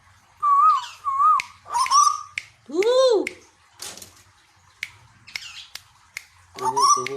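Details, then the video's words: Captive Tuwu from Bogor, Indonesia: two short whistled notes, then a loud arched swooping call and sharp clicks, with a man's voice in the background. "Tuwu | Suara Asli Burung Tuwu Pemancing Bunyi"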